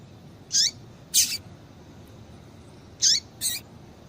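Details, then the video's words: Two pairs of high, down-slurred chips from a female double-collared seedeater calling to excite a male, the notes in each pair about half a second apart, against low background hiss. "Piado de Fêmea de Coleiro Para Esquentar Coleiro"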